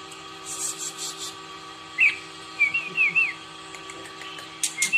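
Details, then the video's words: Red-whiskered bulbul practising its morning song with clear whistled notes that rise and fall, delivered as a short run of four or five slurred whistles, against a constant low hum and soft rustling. "Chào mào hót - Luyện chào mào hót buổi sáng"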